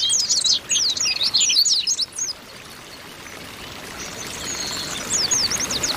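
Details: Group of female Oriental white-eyes calling to stimulate males: a dense burst of high warbling chirps, silence apart from hiss, then a thin whistle and sharp chirps returning.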